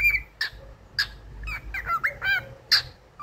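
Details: Cockatiel kept as a pet whistling "If You're Happy and You Know It": short whistled notes and harsher squawky bursts alternate in a choppy, uneven run of phrases.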